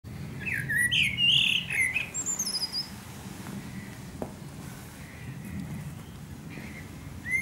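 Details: Eurasian blackbird singing at sunset in Akersloot, the Netherlands, on 30 March 2018: a low fluted warble that runs into a thin, high squeaky twitter, then a long pause with quiet background.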